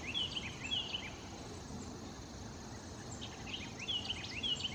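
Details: A Philadelphia vireo at White Clay Creek Preserve, Chester County, Pennsylvania, on 23 September 2015 gives short, high, whistled notes in two brief bursts, with a steady hiss of rushing water or wind underneath.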